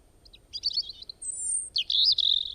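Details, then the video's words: Varied bird sounds from one bird that makes many kinds of calls: scratchy high chirps, then a long thin whistle held high, then a loud buzzy, twittering phrase. The background is quiet. "একটি পাখি কতো রকমের আওয়াজ করে,Birds sounds"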